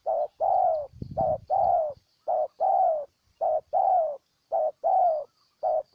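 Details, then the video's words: Close Spotted dove from Ninh Thuận province, Vietnam, cooing steadily in short-then-long pairs, each longer coo gently sliding down, about a phrase per second; a brief low thump near the first second. "Cu Gáy Ninh Thuận"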